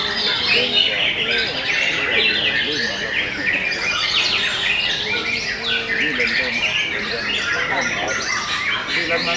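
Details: Canary song at a Kenari MB class singing contest, session 5. Bright, high, rapidly repeated twittering and rolling trills overlap without pause, and faint human chatter sits beneath the birds.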